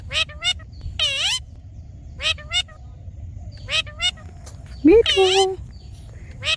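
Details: Green talking parrot producing scattered clipped squawks and a longer raspy burst, then a rising tonal whoop followed by a harsh drawn note, against low constant hum.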